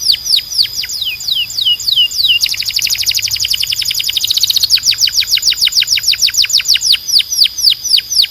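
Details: Canary tutor song for teaching young birds and encouraging male canaries to sing: a run of clear, high down-slurred whistles, then a dense rapid trill for two seconds, then steady repeated swooping notes about three per second.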